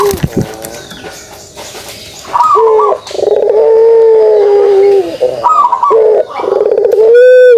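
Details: Pelung dove performing the kugeruk coo: a rising rolled opening, then a long, steady, deep coo held about two seconds, followed by another rolled phrase and a shorter coo, with a clatter at the start and end.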